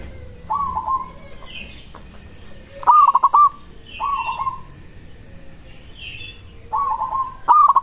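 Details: Local zebra dove song used to draw replies from other doves: short bursts of stuttering, rapid cooing notes, each phrase about a second long, with a softer higher chirping bird calling between phrases.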